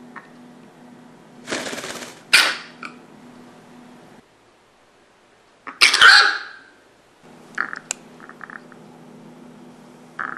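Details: Pet hen with a cold, fever and blocked nose, sneezing often indoors: sharp, explosive bursts with short breathy noise between, alongside faint low humming and a few soft clucking sounds.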